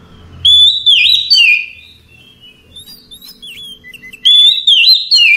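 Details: Oriental magpie-robin singing at night: loud whistled phrases with rich slurred and warbled notes, delivered in bursts separated by a quieter pause with soft chirps, faint low hum underneath.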